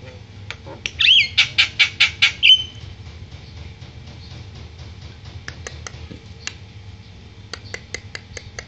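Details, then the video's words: Javan myna, fussy because it has not been bathed yet, gives a burst of about eight loud, harsh, rasping notes in quick succession, then scattered dry clicks and soft chatter over a steady low hum. "Kicau jalak kebo"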